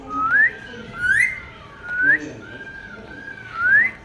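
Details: Indian ringneck parrot, a talking pet bird, whistling in the rain: four upward-sliding whistles about a second apart, each trailing into a level tone, given in a steady repeated pattern.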